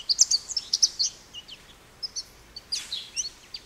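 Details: High, sweet twitters from an American goldfinch, a quick cluster of bright notes followed by scattered softer chips and a brief trill, with faint background hiss.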